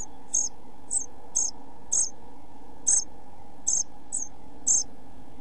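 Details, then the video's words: Pied flycatcher chicks, 11-12 days old and soon to leave the nest box, recorded 29 June 2013 by a box camera; evenly spaced shrill high begging peeps about every half second over a low background hum. "Kirjosiepon poikaset 11-12 päivää / Pied flycatcher's chicks 11-12 days"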